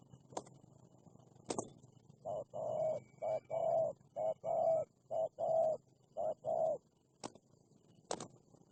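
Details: Fierce wild spotted dove answering a decoy bird during trapping: a steady string of low, hollow coos, roughly one per second, between sharp clicks.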